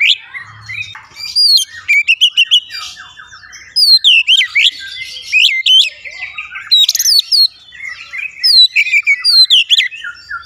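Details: Energetic kacer, the Oriental magpie-robin, sings a quick medley of clear slurred whistles, upward sweeps and scratchy trills in dense bursts separated by short gaps.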